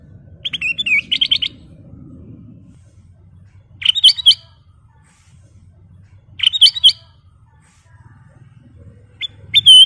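A Black-crested bulbul sings short, bright, bubbly warbled phrases about every two to three seconds, with quiet pauses and a faint low hum between them.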